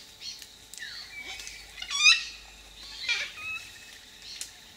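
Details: Sulphur-crested cockatoos in gum trees at Middle Path, performing aerial antics; a short harsh squawk peaks mid-clip amid assorted fainter bird calls and downward-sliding notes.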